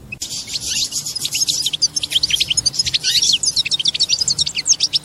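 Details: European goldfinch mating song, said to bring the female into mating posture: a sustained, lively stream of fast, liquid twittering and trilled high notes, growing denser toward the end.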